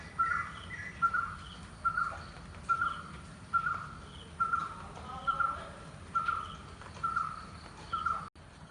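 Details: Barbet, known as kutturuvan in Malayalam, recorded in Kerala, India: a mellow, hollow single note repeated steadily about every 0.9 seconds, roughly ten times, over faint low background rumble.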